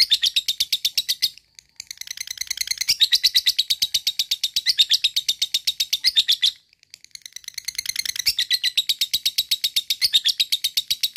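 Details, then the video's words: Long ngekek trill from a lovebird, aimed at rousing other lovebirds: dense high chattering, broken by two brief pauses, across about eleven seconds. "lovebird cepat naik EMOSI dan langsung jadi ngekek panjang"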